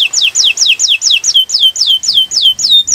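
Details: Atlantic canary song used as a training recording to get other birds singing: a steady series of clear, high whistled notes, each sliding sharply downward, repeated about four times per second with no other sounds.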